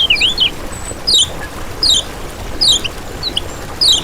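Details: Lemon-bellied white-eye master recording used as a lure for trapping and provoking other birds: thin, high, sharply slurred chirps, each a quick down-up twist, given in short spaced bursts about every second.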